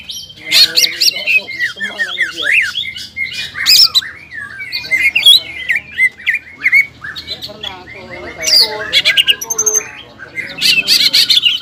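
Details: Kept greater green leafbird in full, lively song in the ngobra and jamtrok styles, roused by sexual arousal: a rapid jumble of whistled, chattering notes with sharp squawky bursts and slurred rising-falling phrases, near-continuous throughout.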